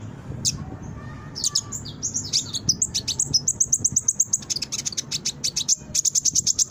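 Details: Brown-throated sunbird song for luring and training birds; a few high chips build into a rapid run of sharp, evenly repeated high notes, accelerating into a dense twitter.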